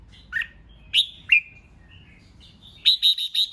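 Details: Red-whiskered bulbul, provoking rivals with competitive singing: three separate rich, swooping whistled notes, then a fast ché run of about five evenly spaced chattering notes.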